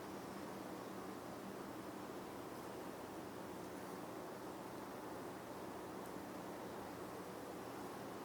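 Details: Only a soft, even hiss of outdoor background noise is heard, with no animal calling.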